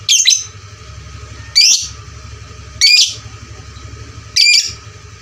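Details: Lovebird calling for fighter-lovebird training: four loud, harsh, shrill squawks, each brief and buzzy, spaced irregularly about a second or more apart, with quiet between them.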